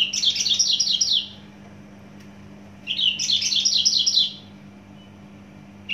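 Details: Javan bush lark from Java, singing with notable volume and speed, pours out two dense, rapid trilled bursts of about a second each, shrill and jumbled, separated by a quiet gap.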